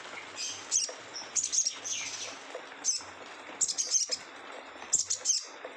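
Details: Rough "ngeriwik kasar" song of a sogon: short bursts of shrill, scratchy high chirps and quick trills, about one burst every second, separated by brief pauses, with a faint low hum in the background.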